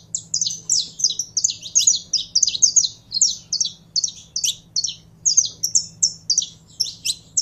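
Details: Saffron finch in sustained, lively song of sharp high chirps, short whistles and buzzy notes in rapid, regular bursts, with a low background hum.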